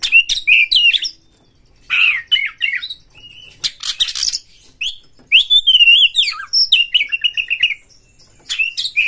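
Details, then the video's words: Kept white-rumped shama singing fast to stir rival shamas: rich whistled and warbled phrases broken by harsh noisy bursts, a run of quick repeated notes, short pauses between phrases. "pancing KACER sampai GACOR NGEPLONG BONGKAR ISIAN BUKA EKOR suara cepat Naikan EMOSI KACER Anda"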